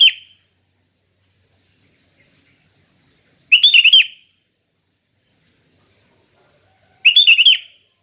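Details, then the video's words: Sooty-headed bulbul singing calmly in clear, open style, meant for training other bulbuls: short rapid warbling bursts of chirpy notes repeating about every three and a half seconds, with nothing else audible. "Kicau Kutilang Ngeplong Santai"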